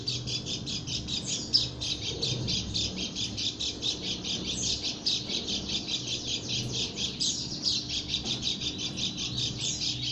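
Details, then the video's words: Unusual call of a female white-eye from Lombok: dense, rapid high-pitched chattering notes pouring out without pause for ten seconds, with a few sharper squeaky accents, against faint low hum. "burung pleci lombok suara aneh"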